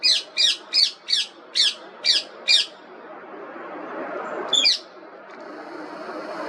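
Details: Rose-ringed parakeet (Indian ringneck parrot) repeating loud, harsh, high squawks about every third of a second, seven in a row, then a pause with low humming before one last squawk.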